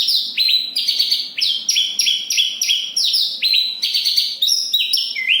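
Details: From Kediri, a Javan bush lark delivers a packed rolling song of rapid chirped notes, many sliding downward, stacked in fast repeating phrases with barely any gaps between them.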